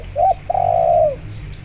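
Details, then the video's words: Spotted dove calling steadily, used to lure zebra doves into calling: one short clipped note, then a long, level, throaty coo that slurs downward at its end, over a low background hum. "tekukur gacor di iringi suara perkutut lokal gacor untuk pancingan"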